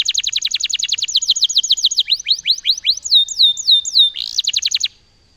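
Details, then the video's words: Loper canary in full song: a rapid rolling trill of descending notes, then slower drawn-out whistled slurs and a final short trill before falling silent. "Kenari loper gacor"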